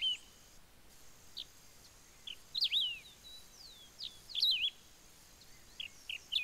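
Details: Wedge-tailed grass-finch recorded at Ouro Branco, Minas Gerais, Brazil, giving high, squeaky warbled phrases of slurred and wavering notes, several short bursts spaced about a second apart, with a faint background hiss.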